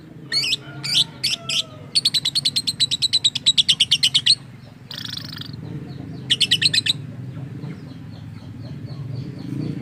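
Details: Strange-sounding lovebird, described as imitating human speech: a few separate shrill chirps, then a fast even run of about twenty clipped high notes, a harsh buzzy burst, and another rapid chattering run, over low hum.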